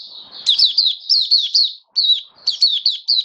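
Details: Hobby-kept oriental white-eye in build-up form, 19 September 2022, giving a quick, sweet, high twittering song of fast descending chirps in two bursts separated by a brief gap.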